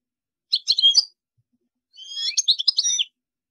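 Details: Goldfinch song in two phrases, a short liquid twitter followed by a longer tinkling, chattering run with whistled notes; quiet background.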